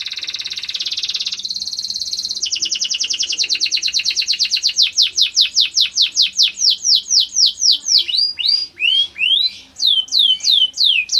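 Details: Canary of the fighting type singing a training song: a dense high buzzy trill that gives way to repeated swooping notes, slowing to about one per second, each a sharp rising-falling whistle, clear and loud.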